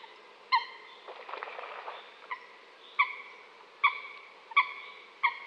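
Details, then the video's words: Coot giving well-spaced nasal honking notes, one every half to one second, with a short burst of rustling noise after the first call. "New coot best sound"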